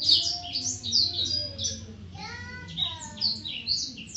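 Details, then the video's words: Long-tailed shrike in varied song of quick squeaky whistles and scratchy notes, with lower sliding whistles from another bird mid-clip and a low background hum. "Burung cendet"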